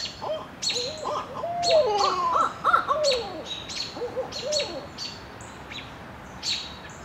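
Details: A Barred Owl pair calls and caterwauls, trading wild, wavering hoots and rising-falling cackles that overlap in a frenzied burst, over faint high chips from smaller birds.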